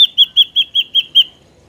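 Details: Ashy drongo song played as a trapping lure: a clean, fast series of seven bright, ringing whistled notes about every 0.2 seconds, ending abruptly.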